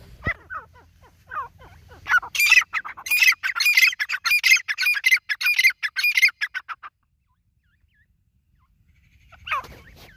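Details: A white partridge gives a fast, loud volley of harsh, ringing notes packed closely together for several seconds, then falls silent, and a final single squawk follows near the end.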